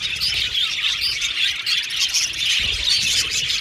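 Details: Budgies in a colony aviary chirping: overlapping squeaky whistles and rapid warbled chatter form a continuous bright chorus, with some brief harsher squawks.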